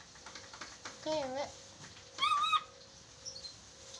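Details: Chattering lory heard on a talking-training recording: a low, wavering dipping call, then a louder, higher call that rises and holds, with faint murmuring and a steady hum in the background.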